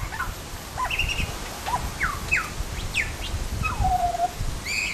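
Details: Butcherbird calling: a series of clear whistled notes, some rising and some falling, with a long descending slurred whistle near the end and a bright high note at the close, over low background rumble.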